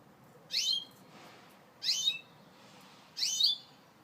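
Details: Gloster canary giving three loud, bright chirps, each a quick downward sweep with a short tail, spaced roughly one and a half seconds apart against quiet background hiss.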